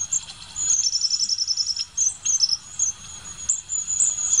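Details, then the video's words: Long-tailed tit giving very high, thin calls: a rapid run of short tsee notes, then scattered sharp high notes and thin trills. "Raniuszek zwyczajny"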